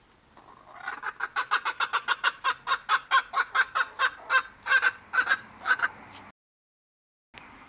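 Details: Silver Appenzeller chicken giving a long steady series of harsh clucks, roughly two per second, building then trailing off before a short silence.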